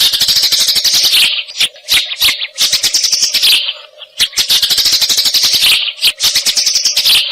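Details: Eurasian tree sparrows used as tutoring sound for competition songbirds: two long, dense stretches of rapid high chirping broken by a pause of spaced single chirps, over a low steady hum.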